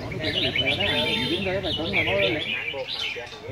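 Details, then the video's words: Red-whiskered bulbul from A Lưới on a competition stand: dense, rolling, warbled song in quick repeated notes, about four a second, layered over lower wavering calls and voices. "Chào mào A lưới chơi giàn quá đẹp"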